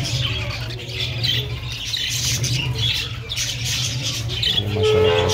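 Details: Budgerigars kept in a mini cage in winter chatter constantly with high, scratchy warbles and chirps over a steady low hum.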